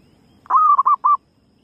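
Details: Female zebra dove lure call: one sustained, steady, mellow coo that runs straight into three short staccato coos at the same mid pitch, with a quiet low background hum.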